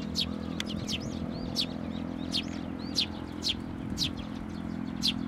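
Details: Sparrow chicks being fed by adults at a Tenmangu shrine, 22 May 2024. Bright, quick chirps with some rising and falling notes sound every half second to second, over a constant low mechanical drone.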